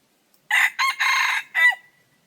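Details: Red junglefowl rooster crowing, used as a decoy to lure wild junglefowl: a harsh, broken crow of about 1.3 seconds. A short opening burst leads into a long buzzy middle section, ending in a clipped final note that trails off thinly. Background is quiet.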